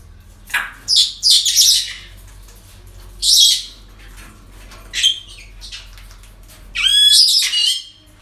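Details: Parrots calling at a breeding centre, a series of about six loud, harsh, grating screeches at irregular intervals over eight seconds, some doubled, the last one long and rasping.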